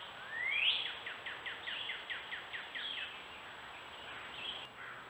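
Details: Gray catbird on a trail camera at a woodland stone wall in Strafford County, New Hampshire: a rising slurred whistle followed by a fast series of about a dozen short downslurred notes, over steady background hiss and a faint whine.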